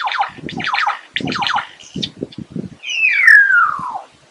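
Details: Lyrebird song: buzzy, falling notes in quick runs over low thumping pulses, then a long loud whistle that slides steadily downward and fades.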